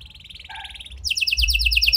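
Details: Canary lure song in a unique style to make silent canaries sing: a soft rolling trill with lower steady tones beneath, then a loud, rapid buzzy trill.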